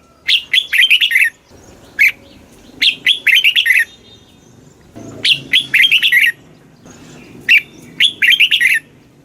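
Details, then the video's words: Red-whiskered bulbul song meant to rouse caged bulbuls; frequent ringing whistled phrases, short single notes between fuller runs of quick warbling notes, delivered in rapid succession with a light background murmur. "เสียงนกกรงหัวจุก ร้อง ริก เปิดให้นกฟัง ยั่วให้นกคึกจัด chao mao hot, chào mào hót"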